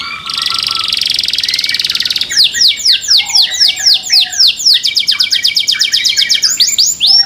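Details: Loud song from a canary kept in captivity: a buzzy high trill for two seconds, then strings of quick swooping whistles repeated several times a second, changing into rapid rolling phrases without a break.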